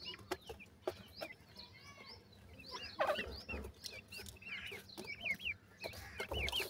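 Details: Grey francolin chicks while feeding: many short, high, whistled peeps, each curving up then down, coming in quick irregular runs, with sharp clicks and knocks scattered between them.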